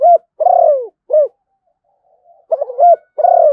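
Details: Malaysian zebra dove cooing in clipped, bouncing notes: short coos, a longer descending purr and a brief rising note, followed after a pause by a fresh run of stuttered coos and another drawn-out falling coo.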